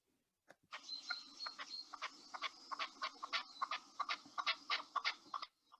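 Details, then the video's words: A red-legged partridge, a non-native bird released for shooting on British farms, gives its call: harsh, wheezy, rather asthmatic chuffing notes, two or three a second for five seconds, opening with a few thin higher notes. "this is the call of the red leg partridge"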